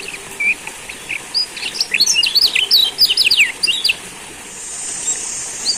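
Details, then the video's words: Lombok yellow white-eye (kecial kuning) song used as a lure to get other birds singing: a fast, high, thin twittering of short chirps and sweeping notes in a dense burst, then quieter, over a faint steady hiss. "Pancingan Kecial Kuning"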